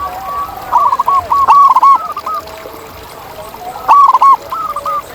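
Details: Wild zebra dove in nature: two bright bursts of fast, stuttering cooing notes separated by a quieter stretch, with faint lower coos from another bird in the background.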